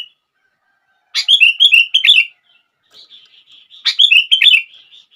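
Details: Sooty-headed bulbul song meant to set off other bulbuls: two loud phrases of rapid warbling, chattering notes, with softer, thinner twittering heard between them.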